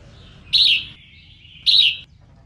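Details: Female red-whiskered bulbul singing to excite males, giving two loud, rich warbled phrases about a second apart over faint background hiss.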